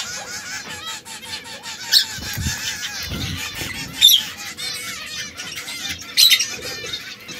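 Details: Three canaries of different colours, red, yellow and brown, trill steadily in rapid repeated notes, broken by three loud sharp squeaky bursts about two seconds apart.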